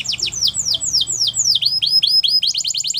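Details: Canary song made of sweeping falling whistles, then hooked up-down notes, speeding into a quick run of short high syllables at the end.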